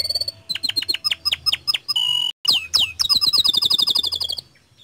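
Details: Canary in full song, played to get other canaries singing along. Evenly spaced chirps, a steady whistled tone, a tiny gap, then sweeping notes speeding into a fast high trill that fades out.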